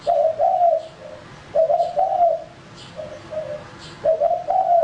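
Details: Spotted dove, a male used for luring birds, giving two full coo phrases: rough loud double notes then quieter short coos, a new phrase starting at the end.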